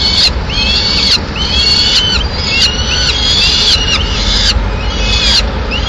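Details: Peregrine falcon nest in Madrid, Spain, 6 May 2016, female arriving with a pigeon: a series of high, wavering whining cries, each about a second long, repeated with short gaps over constant low traffic-like noise.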